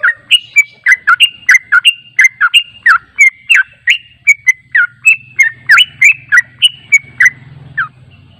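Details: Yellow-vented bulbul lure recording meant to make birds respond: rapid bubbly, gurgling notes about three per second, each a short rising-falling phrase, with a faint low hum underneath.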